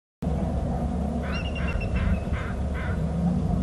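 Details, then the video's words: Bald eagle on a nest-territory camera at Hornby Island, calling before flying off inland: a short series of thin, high chittering notes, about five bursts over two seconds, over steady loud low wind or surf rumble. "eagle on bst calls and flies off inland right"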